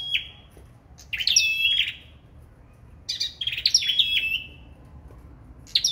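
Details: Competitive singing by a sâu đầu đỏ, four clipped phrases with pauses between: a piercing attack followed by a steady high whistle that sags slightly at the end. Little else is audible.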